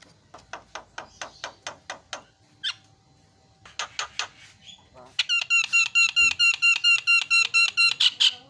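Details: Javan myna in lively song for prompting other mynas: a run of dry, evenly spaced clicks, a pause, more ticks, then a rapid, regular series of ringing, harmonic notes repeated about twice a second or faster.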